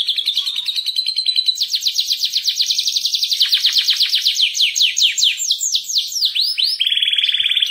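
A canary sings a fast, continuous song: high trills and rolls of rapid repeated notes, shifting into sweeping down-slurred phrases and ending on a buzzy trill.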